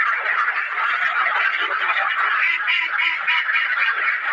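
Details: Caged ducks giving loud, dense quacking calls, many birds overlapping in a continuous harsh chorus with no pauses.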